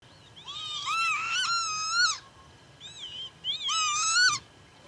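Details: Northern lapwing recorded in July 2025 at Pyarkovichy, Belarus: two long, wailing, arched calls that rise and then slide down, each lasting about a second and rich in overtones, with a short fainter call between them, over quiet background hiss.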